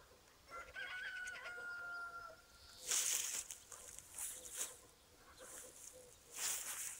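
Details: A rooster crows at sunrise in a countryside village, giving a long, drawn-out crow held on one steady pitch, followed by scratchy, bursting sounds.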